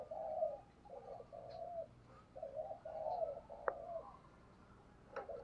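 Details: Decoy spotted dove calling to draw in wild doves; a series of quiet, low muffled coos strung into short phrases with brief gaps, plus a couple of faint clicks and steady background hiss.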